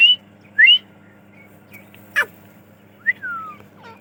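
Grey francolin giving shrill, whistled notes, some rising and some sliding down, spaced about half a second to a second apart, over a faint low hum and one sharp click.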